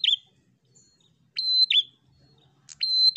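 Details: Fighter-style prinia song meant to rile rivals: phrases of a click, a steady piercing whistle and a slurred buzzy drop. The first phrase is cut off, then two full ones follow after a pause.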